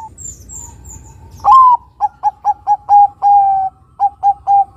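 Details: Zebra dove of the Bangkok perkutut type in full song, played as a lure to start other doves singing: faint high whistles from another bird, then a loud swelling coo and a rapid rhythmic series of short clipped notes with a longer drawn-out coo.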